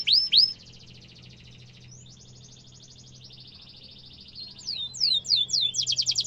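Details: Canary song for training young canaries: two loud sweeping notes, then softer buzzy rolling trills at changing pitch, ending in louder descending chirps and a quick rattle.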